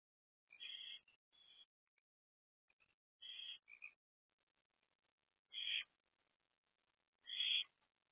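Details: Barn owls at a nest box after 1 am on 7 April 2024, mother perched beside two older owlets; scratchy rasping bursts, some doubled, at uneven intervals with silent gaps between.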